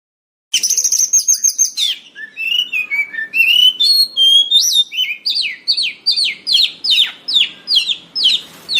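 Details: White-rumped shama song used for luring and training birds: a high trilled burst near the start, then varied whistled slurs and a long series of rapid, repeated falling notes about two or three per second.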